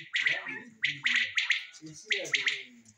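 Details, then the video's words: Common quail gives sharp, liquid three-note phrases, 'whit wit-wit', repeated about once a second, over low murmuring background noise. "БЕДАНАЛАР ВАКАЛАНГ ИЛДАМ ВОТВОЛОК ПАТАЛОК"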